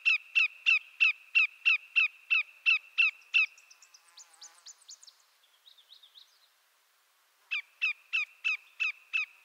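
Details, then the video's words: Canadian shorebird of eastern North America, the greater yellowlegs, calls in a fast string of descending notes. A brief burst of higher chattering and a pause follow, then the same rapid notes resume. "Greater Yellowlegs Sound"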